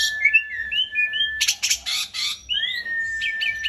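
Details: Asian pied starling kept in a cage, singing a mixed phrase: short chirps over a steady whistle, a burst of harsh buzzy notes, then a rising clear whistle and quick chips.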